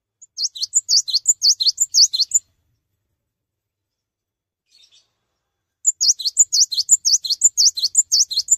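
A cinereous tit sings rapid, high, ringing two-note phrases, repeated in a fast run, pausing about three seconds, then resuming; no other sounds.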